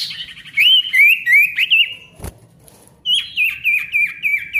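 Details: Ringing song of a male ashy tailorbird, intended to stimulate silent tailorbirds: a fast string of loud slurred whistles, a short pause with a click, then another rapid bouncing series.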